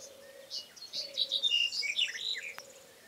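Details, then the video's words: Black-headed bunting singing: a quick jangling phrase of scratchy, chirpy notes tumbling over roughly two seconds, bright and high, with a steady low hum running underneath. "Черноглава овесарка (Emberiza melanocephala) Black-headed Bunting"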